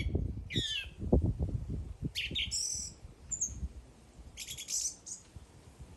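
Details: Bird singing a varied phrase: a descending slurred note, buzzy bursts, a thin high whistle and a final cluster of rapid high notes, against low rumbling background noise.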